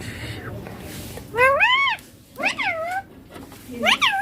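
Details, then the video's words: Baby Indian ringneck parakeet speaking words like papa and mummy in clear Hindi; three arched, richly harmonic utterances about a second apart, clean against a quiet indoor background. "Baby ringneck parrot natural sounds papa mummy talking clear hindi"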